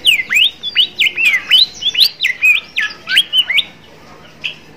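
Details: Bimoli bird song used as training material for young birds learning to sing: rapid series of clear whistled notes swooping up and down, about a dozen bright phrases in quick succession, then a short pause and one final note.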